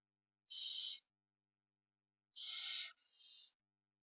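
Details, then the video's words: Rasping, breathy barn owl shrieks recorded in Spain while the parents care for their young; two loud bursts two seconds apart, the second trailing into a softer hiss, with silence around them. "Cuidado parental lechuza común"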